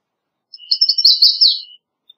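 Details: Short, high song of an American redstart: a quick run of thin notes over a faint steady tone, ending in a downslurred flourish.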